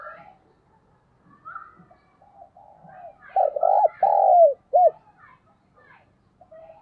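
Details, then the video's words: Decoy spotted dove giving a mixed-style decoy call with a driving 'thúc' part and a calling coo. One phrase: a few quick low coos, then a long, drawn coo that falls at the end and a short final coo. Faint background chatter comes before it. "tiếng chim cu gáy mồi chuẩn cực hay giọng đồng pha thúc & gáy gọi"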